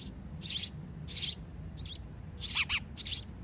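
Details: Sparrow chicks being fed by their parents, giving short, very high, shrill chirps in bursts about every half second, with a faint lower chirp between them and a quiet low background rumble.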